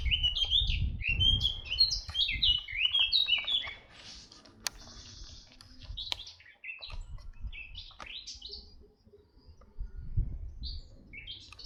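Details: Red-backed shrike in Orduña, Bizkaia, Spain, 40 km from Bilbao, 2025: a dense burst of quick, rising and falling chirps, then scattered single notes among clicks and handling noise, with some low wind.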